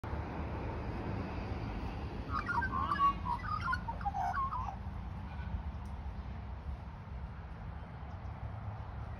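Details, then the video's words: Australian magpie in Australia singing a short burst of rich, fluting warbles for about three seconds, over a constant low rumble of wind or traffic. "Australian Magpie Song"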